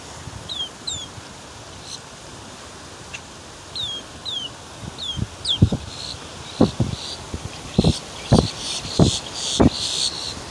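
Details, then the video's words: Boat-tailed grackle sounds: a series of thin, high downslurred whistles, then loud dry clacks and harsh rattling bursts, with steady background noise throughout. "Boattail Grackle Sounds 4"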